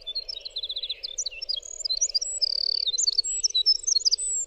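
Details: Winter wren song in a clear recording: a rapid, high-pitched tumble of thin whistles and quick trilled runs, including a fast stuttering series of repeated notes, over a steady low hum.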